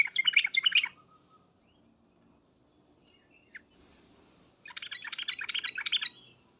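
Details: Sooty-headed bulbul calling in the 'ngriwek uplik uplik' lure style: a short loud bubbling chatter, a quiet stretch with faint background hum and a lone note, then a longer burst of jumbled chirps.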